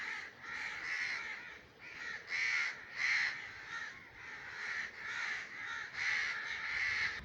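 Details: Common raven in breeding season giving continuous rough, grating caws in quick succession, some louder bursts mid-sequence, with no other clear sounds.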